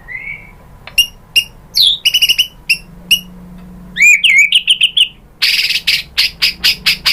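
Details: Song of a white-rumped shama, played to stir other birds to sing: scattered high, sharp chips and upslurred whistles, a jumbled burst of quick notes, then harsh, buzzy, rasping bursts repeated several times.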